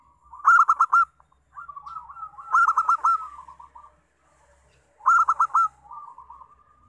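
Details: Local zebra dove song used as a lure to get other doves singing: three loud, rapid, stuttering cooing bursts, each trailing into a softer drawn-out coo, repeated about every two and a half seconds with quiet gaps.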